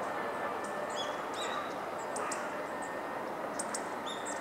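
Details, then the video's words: Hawfinch calling on a December 2013 morning: scattered brief, thin, high-pitched ticks and short clipped notes, fairly faint against constant rushing background noise. "シメ "Coccothraustes coccothraustes" の鳴き声"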